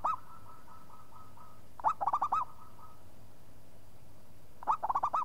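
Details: Local zebra dove in lively song, answering at once after a single call: a faint series of even coos, then two loud bursts of five or six quick, curling, bubbly coo notes, with a steady low hum behind.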